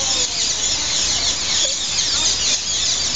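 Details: Hundreds of green rose-ringed parakeets gathering at evening to roost in three or four trees outside Heidelberg main station make a dense, continuous chorus of harsh, screechy calls, shrill squawks overlapping without pause as they settle.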